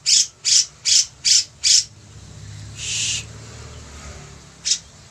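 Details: Active, lively grey-cheeked bulbul (cucak jenggot) giving five quick harsh, high buzzy notes, then a longer hissing note after a gap and one last short note near the end.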